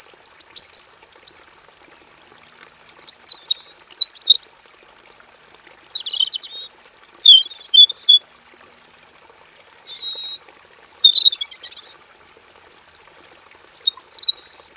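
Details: Male robin kept in a simple aviary, singing a long, full rolling song: bursts of high, quick warbled and chattering phrases every few seconds, separated by short pauses, over a constant faint high hiss.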